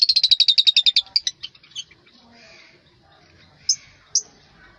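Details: African lovebirds giving a rapid series of high, sharp chirps, about a dozen in quick succession, fading out, then two isolated shrill squeaks.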